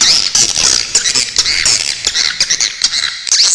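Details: Swiftlet calling in a crisp tutor recording with sharp 'besetan' phrasing: high, squeaky chirps and short upward-sweeping notes in quick, uneven succession, with a soft low rumble beneath.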